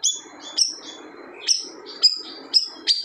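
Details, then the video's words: Siri-siri bird singing a loud song said to silence other birds: high whistled notes, some sliding, in short bursts roughly every half second, each opening with a sharp accented note, over a steady low rushing background. "SIRI-SIRI GACOR TEMBAKAN SADIS BIKIN BURUNG LAIN DIAM"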